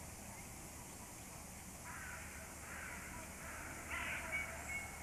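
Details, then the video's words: Distant crows give harsh, rasping caws, a few spaced over several seconds, with a faint thin whistle and a low outdoor rumble beneath. "crows call"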